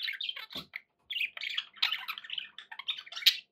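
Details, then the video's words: Budgies kept indoors warble and chirp in a busy, scratchy chatter; a short thud and a quiet gap come early, then steady chattering resumes. "11 hours of budgie sounds"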